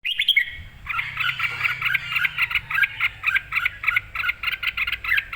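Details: Red-whiskered bulbul, excited and singing clearly: a brief bright whistle, then a long run of quick, evenly spaced chattering notes, several per second, steady throughout against a low background hum.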